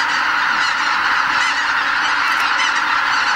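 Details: Greater white-fronted geese on spring migration leave Lake Miyajimanuma, Bibai, Japan, in the early morning before sunrise. Overlapping honks from many birds form a loud, unbroken chorus, with a couple of higher calls near the end.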